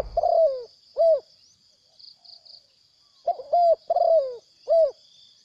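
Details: Wild spotted dove that came in to fight and then flew off: soft, low, hollow cooing phrases, a double coo followed by single rounded coos, with a steady high insect-like whine behind.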